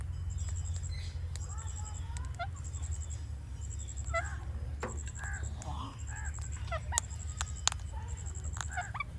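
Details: An Indian ringneck parakeet gives natural clicks, a run of sharp snapping ticks in the second half, between short chattering and squeaky notes, with a continuous low hum and a faint high electronic whine behind.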